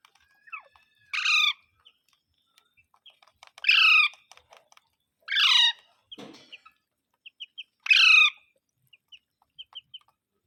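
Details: Parrot repeating rasping, downward-sweeping screeches roughly every two to three seconds, four loud calls in all, with brief high chirps and light tapping sounds in the pauses.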